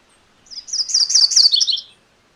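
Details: Close, clean MacGillivray's warbler song: a single rapid burst of rolling, buzzy high notes, two-parted and falling a little at the close, about one and a half seconds long.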